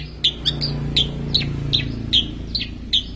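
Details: Long-tailed shrike giving a full song said to mimic ten small bird species: sharp chirped notes, about nine in three seconds, unevenly spaced, over a steady low hum.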